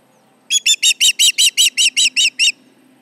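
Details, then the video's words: With intruders around its Charlo nest, July 29, 2019, 11:30am MDT, an osprey gives eleven strong, shrill whistled chirps in a fast, steady run lasting about two seconds, each note slightly rising then falling; faint hum underneath. "Intruders around, 7/29/19 - Charlo osprey nest"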